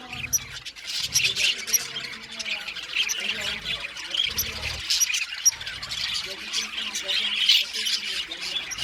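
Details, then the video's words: Australian budgerigars singing together in an aviary colony: continuous bright warbling with quick squeaky chirps and short grating notes layered over each other. "Parakeet sound | budgies singing and chirping sounds"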